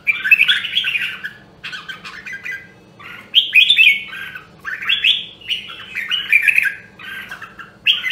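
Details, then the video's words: Red-whiskered bulbul from Nam Dong, Hue, a rare caged bird trained for competitive singing, gives rich rapid whistled and warbled phrases in bursts of about a second, separated by short gaps, over a quiet indoor hum. "Luyện giọng Chào Mào Nam Đông Huế Hàng Hiếm Còn Sót Lại ! giọng cực chất"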